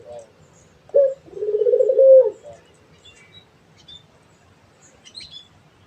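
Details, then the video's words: A single coo from a Barbary dove (puter): a sharp short note, then a long, pulsing, level coo ending on a brief higher lift, followed by quiet with faint small chirps. "SUARA BURUNG‼️ PUTER GACOR"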